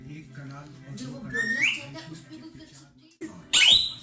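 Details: Rose-ringed (Indian ringneck) parakeet, a tame 2.3-year-old male pet that talks in Urdu/Hindi, gives a shrill rising whistle then a loud harsh screech over soft human speech nearby.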